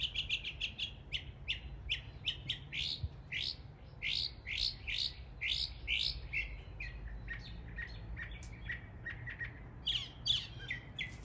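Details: Mockingbird in an East Tennessee neighborhood imitating local birds: a rapid, varied run of bright chirps and slurred notes, many phrases repeated several times in quick succession, with a steady low background hum.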